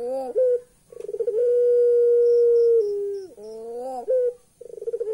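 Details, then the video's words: Eerie laughing call of a puter pelung turtle dove: a brief rising note, a quick pulsed stutter leading into a long level hooting tone that drops in pitch, then rising wavering notes and another stutter. "Burung Puter pelung bisa ketawa, ketawanya serem"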